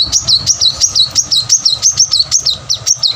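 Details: An unbroken chain of around thirteen high, up-and-down notes, roughly four per second, from a plain-throated sunbird singing at full strength as a lure to get lazy birds singing.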